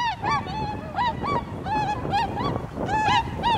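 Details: Tundra swans, a large flock, in snowy, cold Azumino, Japan, on a cloudy day at -4°C. Several birds give overlapping, nasal, bugling honks with rich harmonics, rising slightly and repeated roughly every half second, over a steady background rumble.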